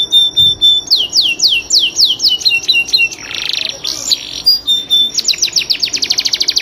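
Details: Canary, Serinus canaria, master song: a brief high note, a series of falling whistled sweeps, a harsh buzzy burst, then a fast run of sharp repeated high notes.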